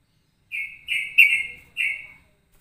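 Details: Straw-headed bulbul-like ropelan variation, blending phrases like straw-headed and sooty-headed bulbul: three or four sustained, slightly wavering whistles, loud and clear, with a short gap before the last note.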